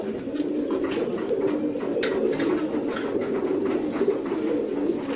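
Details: A flock of fancy pigeons producing unbroken low cooing from several birds at once, overlaid by scattered short taps and scuffling noises.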